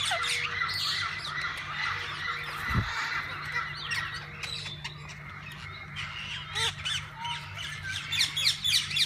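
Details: Several kinds of parakeets in a walk-in aviary at a parrot zoo twitter and squawk in a steady crowded chorus, with a dull thump partway through and louder bright chirps near the end.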